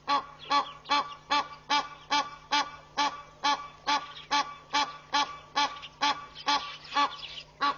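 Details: Egyptian goose pair displaying and very vocal at Pete's Pond, Mashatu Game Reserve, Botswana, on 11 July 2013: harsh, nasal honks repeated steadily about two to three times per second, each with a strong ringing tone, throughout.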